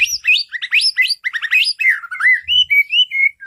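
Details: White-rumped shama song used as a lure to make caged birds sing. A rapid run of varied high whistled and slurred notes gives way to slower, smoother rising and falling whistles.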